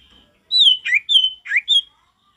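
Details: Male Mountain Tailorbird singing vigorously with a wild forest-style voice: a sequence of clear high whistles, flat and slurred notes alternating with quick downward-rising slides, five phrases within about a second and a half, clean quiet background.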